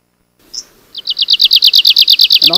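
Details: Arctic warbler song played for identification of vagrant leaf warblers in Europe, said to differ greatly from the greenish warbler group: after a brief high note, a fast dry trill of about eighteen even buzzy notes, slightly falling.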